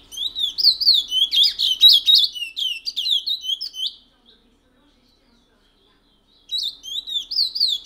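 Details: Long bout of the rare Matiti-style song from a picolette (chestnut-bellied seed finch) kept since 1986 in French Guiana: four seconds of fast, rich, rolling whistles, then silence, then the rippling phrases begin again.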